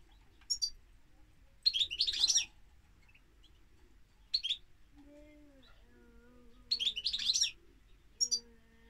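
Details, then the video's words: Goldfinch producing short twittering bursts at intervals, bright and tinkling, while a low faint wavering tone sounds in the background between phrases. "Goldfinch Singing - Cantec de Sticlete - Chardonneret"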